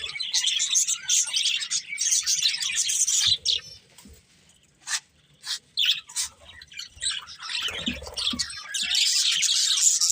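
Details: Budgerigars chirping: busy high chatter at first, then a quieter stretch broken by a few separate sharp chirps, before the dense twittering resumes loudly at the end.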